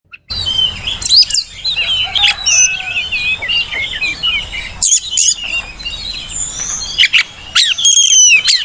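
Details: Oriental magpie-robin (kacer) song recording used to lure and tutor kept birds to sing: dense, varied high chirps, twittering phrases and sharp upslurred notes in near-continuous bursts, with brief pauses and a faint outdoor background.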